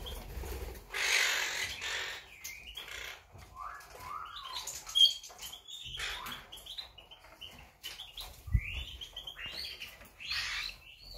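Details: Monk parakeets recorded on 8 September 2020, with harsh, squawking chatter in rapid, overlapping bursts, short rising and falling screeches mixed with rustling and flapping noise.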